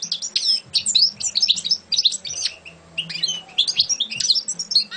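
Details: Champion European goldfinch pouring out a dense, tinkling twitter of quick sliding notes and buzzy phrases, briefly easing off midway before resuming; low background hum.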